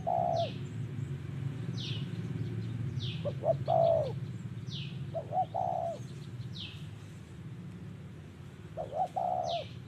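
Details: Trapping scene with a spotted dove giving 'giọng thổ' coos: several phrases of short stuttered notes ending in a longer, low, hollow coo. Frequent descending high chirps from other birds come through, over a low background rumble.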